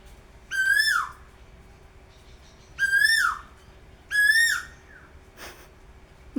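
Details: Asian koel perched high in a treetop, calling repeatedly: three strong whistled notes, each steady and then falling in pitch, spaced one to two seconds apart, followed by a brief soft noise burst near the end.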